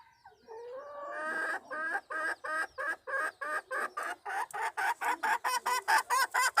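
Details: Red junglefowl hen luring a male, recorded 26 March 2020: a drawn-out rising opening note, then a long accelerating series of loud, harsh, rhythmic clucks growing stronger toward the end.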